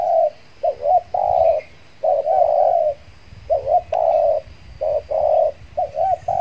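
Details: Captive spotted dove used as a lure for wild doves, Riau Islands, Indonesia, calling after its moult ended; dense series of mellow coos, trembling two-part notes alternating with longer level tones, nearly continuous over several seconds.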